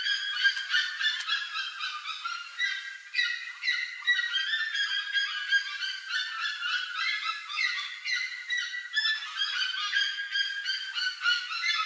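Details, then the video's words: A noisy group of plush-crested jays raiding corn on a trail, calling over one another in a dense run of harsh, nasal, repeated notes with some clearer whistled tones mixed in. "PLUSH-CRESTED JAY (CYANOCORAX CHRYSOPS), GRALHA-PICAÇA"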